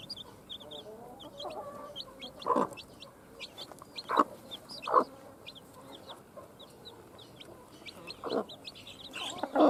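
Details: Newly hatched chicks of a hen at hatching time, giving many short high chirps in rapid, overlapping series throughout, with lower hen clucking and several sharp knocking bursts.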